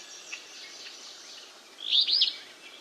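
An Alder Flycatcher gives one quick, burry, high two-part phrase, rendered 'we view', over faint steady background hiss.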